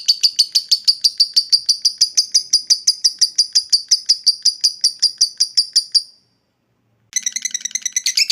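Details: Lovebird ngekek trill meant to provoke rival birds: six seconds of steady, quick, high pulsed notes, a one-second silence, then a denser harsher burst.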